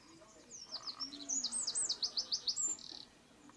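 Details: Eurasian wren song of loud, high, evenly repeated notes, roughly nine in quick succession, ending in a brief dry trill.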